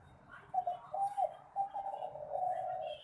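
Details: Spotted dove song of the kind prized for song competitions: a series of soft, low, hollow coos, some short and clipped, others drawn out, run together over three seconds.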